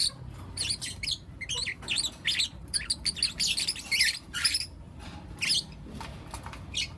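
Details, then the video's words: Lutino lovebird chicks, four of them, chirping in the morning with sharp, scratchy twittering bursts, a louder cluster near the middle, then sparser single chirps, over faint background rumble. "Lutino LoveBird Chirping Sounds - four Cute LoveBird Kids"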